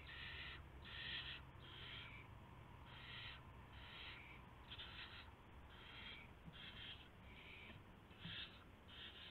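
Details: Nighttime owl at the nest on 24 March 2016, 1:00 AM, with a gopher brought as prey; a steady series of about a dozen short, breathy screeching hisses, roughly one per second, over a low hum.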